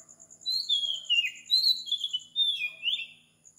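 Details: Morning Oriental magpie-robin in Sri Lanka, recorded at 4 am: three drawn-out whistled phrases, each gliding down in pitch with a slight warble, backed by a regular high pulsing buzz.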